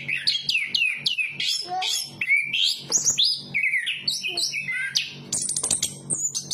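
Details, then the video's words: Chestnut-capped thrush song of quick repeated downslurred whistles, then varied warbles and a fast rattled burst near the end, over a steady low-pitched hum. "Burung Anis kembang berkicau"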